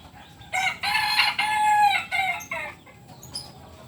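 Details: Kukuak Balenggek cock of the biriang kuniang colour, purebred from Solok, West Sumatra, crowing loudly in several linked segments, the middle one long and sustained, ending in short broken notes before quiet background.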